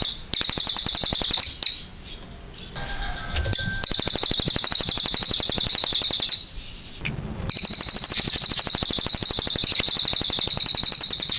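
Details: Chatty cililin delivering long, loud bursts of rapid, sharply pulsed high trills, each several seconds long, broken by short quiet gaps with faint chirps.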